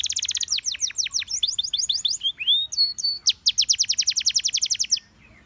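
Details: Gloster canary singing to stir other canaries into song: fast clipped trills, a short mix of sliding whistles and steady tones, then a long rapid rattle of bright chirps.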